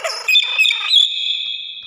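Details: A common hill myna gives a harsh, raspy chatter that breaks into a clear, high, level whistle held for about a second.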